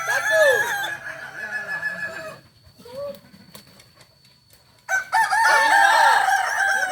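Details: Kokok Balenggek roosters at a joint training session in Ampang Kualo, Kota Solok; a loud crow fades into a near-silent pause, then a fresh burst of overlapping crowing begins.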